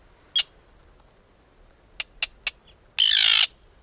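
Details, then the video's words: An Arctic Tern gives one sharp note, then three quick clipped notes, ending on a longer harsh, grating rasp, against a quiet background. "The Arctic Tern sounds"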